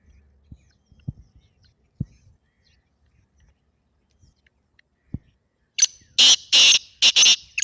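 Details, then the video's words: Black francolin call, used to prompt a kept partridge to call. A quiet opening with scattered soft clicks, then a harsh, grating phrase of about five loud rasping notes in the final two seconds. "تیتر کی مستی بھری آواز"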